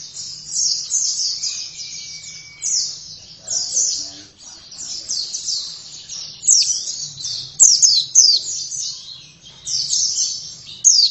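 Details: Gacor song of an oriental white-eye: long bright sequences of rapid, high-pitched chirps and slurred whistles, broken by short gaps, with a faint low hum underneath.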